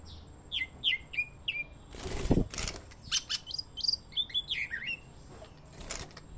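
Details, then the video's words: Greater green leafbird singing as therapy for cage birds: a run of sharp, sliding whistled notes, then varied chirpy phrases, interrupted by loud rustling or flapping noise bursts. "TERAPI OB & OE CUCAK HIJAU"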